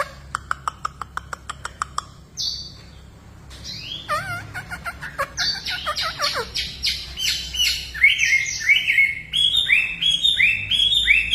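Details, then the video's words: Hwamei song opening with a quick series of sharp clicks, then looping whistled phrases, sliding notes and repeated rich warbles building in volume, over a faint low hum. "Hwambie gacor dooor"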